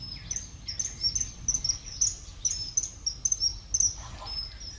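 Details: Common kingfisher recorded at Warandeputten in 2018, giving a rapid series of thin, sharp, very high whistled notes, often doubled, repeated several times a second over low background rumble.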